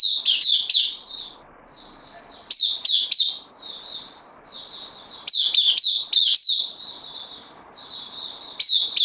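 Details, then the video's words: Captive white-eye on loan, recorded 12 September 2020, singing bursts of fast, high, chattering twitter that alternate with softer thin warbled passages, roughly three loud bursts in nine seconds. "Puteh Dagger new comer on loan"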